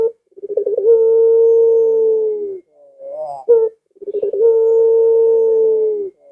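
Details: Luring call of a Barbary dove for prompting household doves to call: two drawn-out, even coos, each beginning with a bubbling rolled stutter, with a soft rising note and a sharp short note between them.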